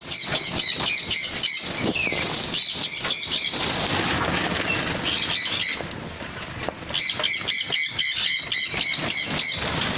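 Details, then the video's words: Pin-tailed parrotfinch calling: bursts of high, thin, rapidly repeated notes, about four per second, pausing midway before resuming, over a constant rushing background noise. "Pintail parrot finch"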